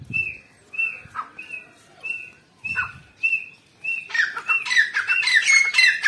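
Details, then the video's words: Female grey francolin (teetar), recorded 29 November 2022: a steady string of short, clear whistled notes, then a crowded, harsh, ringing outburst of rapid overlapping calls filling the last two seconds. "Female Teetar Madi ki awaaz grey francolin ایرانی تیتر"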